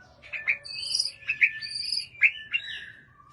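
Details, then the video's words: White-rumped shama, a kept bird, giving short loud whistled notes and rich warbled phrases, several sharp accented notes spaced unevenly, over a faint low hum. "Yakin Nih Gak Pengin? Punya Murai Batu Segacor Ini"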